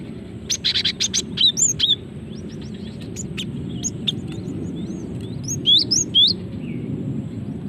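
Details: Calls of a female cinereous tit, used for luring: a chattering burst of sharp chirps early on, then scattered high ticks and a few upslurred whistles, over a steady low background hum.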